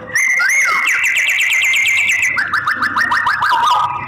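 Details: White-rumped shama, said to be a female used to prompt male singing; a sustained whistle with rapid repeated chip notes, then a fast descending series of slurred notes.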